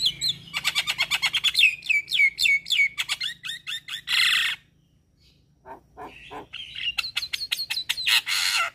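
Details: Javan myna in full-fill master song: rapid rattling notes, each with a slurred whistle that drops into a sustained whistled tail, then a harsh rasping burst, a short pause, soft clicks, and another fast ringing series ending in rasps.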